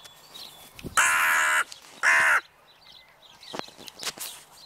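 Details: Crows in the evening: two loud, harsh, drawn-out caws, the first lasting over half a second and the second shorter, separated by a quiet gap, with faint twittering and clicks in the background.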